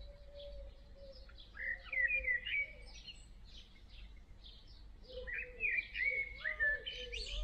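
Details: Great tit young in a nest box, being fed in the evening near a backdoor. Short high chirping bursts rise and fall in two loud clusters, over a steady repeated lower note from another bird and faint background birdsong.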